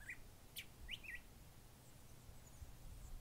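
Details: Curve-billed thrasher in multifaceted song: a short wavering note, a sharp high chip, then a rising whistle and a quick slurred phrase, followed by quiet low background noise.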